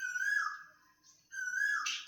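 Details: Asian koel calling outdoors after rain, heard from inside a kitchen; two loud whistled phrases, each holding a steady pitch then dropping, a short pause between them.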